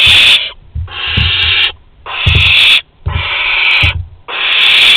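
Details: Barn owls at Théding on August 23, 2020, during a prey offering from an older to a younger owl: five rasping hissed screeches, each close to a second, following one another with brief pauses.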